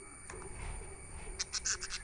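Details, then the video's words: Budgerigar chirping: a quick burst of about five short, bright, high-pitched chirps close together, over a low background rumble. "Budgies chirping sound"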